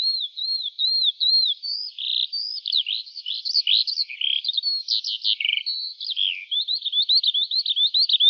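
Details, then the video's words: Morning song of a Eurasian skylark climbing high into the sky: opens with repeated slurred whistles, then a busy jumble of chirps and trills, ending in a fast run of quick repeated chips, unbroken throughout. "Жайворонок Голос Ранку"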